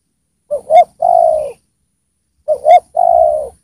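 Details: Spotted dove used as a singing lure for wild doves: two low, mellow cooing phrases, each a quick rising double coo followed by a long falling note.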